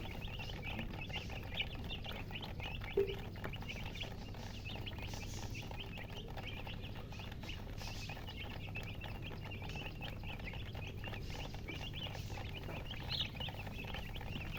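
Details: Newborn chicken chicks chirping loudly as a group, with rapid overlapping high peeps running without pause, a constant low rumble underneath and a brief click near the third second.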